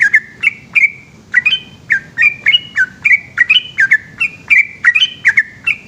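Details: Night song of a yellow-vented bulbul, the long 'ropel' variety. A fast, chattering series of short, clear chirps breaks off briefly early on, then continues unbroken.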